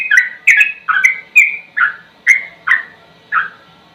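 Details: Slow sooty-headed bulbul song, meant as a master recording for training songbirds: mellow gurgling whistles in separate phrases about every half second, some rising, others dipping, with sparse sharp high clicks.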